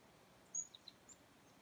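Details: Chickadees calling in the cold, January 2, 2019, 2:10 PM in winter: one brief very high sharp note followed by two or three softer, lower, slightly buzzy notes, faint against steady quiet hiss.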